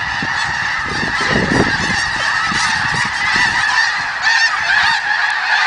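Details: Snow geese at the Richmond Dyke, a large flock calling together: a dense, continuous chorus of overlapping nasal honks and yelps with no pauses, forming a steady wall of goose voices.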